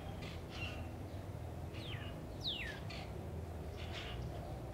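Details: Northern cardinal (Cardinalis cardinalis) calling from a backyard tree in Katy, Texas, February 2009: two clear whistled notes slurring sharply downward, fainter softer notes around them, over a steady low rumble.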